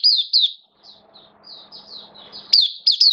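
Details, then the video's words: Oriental white-eye kept caged for the bird hobby, in open song on 11 September 2022, form down a little: a few loud high chirps at either end, with softer high notes and faint low noise between. "Mata Puteh Kitaro Buka Sing"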